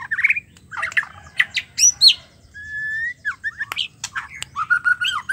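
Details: A female White-rumped Shama, calling to a male, gives a fast, varied run of clear whistles, slurred rising notes and harsh chattering bursts, with short pauses between phrases.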